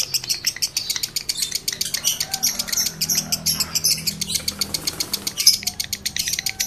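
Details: Breeding-condition male lovebird calling to excite other males: fast, unbroken run of shrill clicking chirps in quick pulses, steady throughout, over a soft low background hum.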